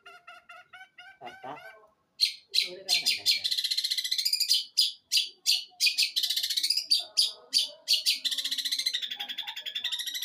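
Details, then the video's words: From Jember, East Java, an eight-month-old long-tailed shrike performs its one-breath mimicry set: soft harmonic notes open, then a loud, fast harsh chattering with rattling buzzy stretches and sharp scratchy strokes. "CENDET USIA 8 BULAN MATERI SATU NAFAS GEREJA KUNTILANAK TENGKEK BUTO"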